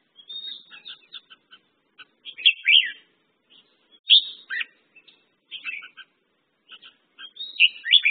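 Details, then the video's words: Red-whiskered bulbul, or merbah jambul, giving spaced bursts of lively song: soft chirp series broken by a few louder, swooping warbled phrases, with short silences between them. "red whiskered bulbul/ merbah jambul"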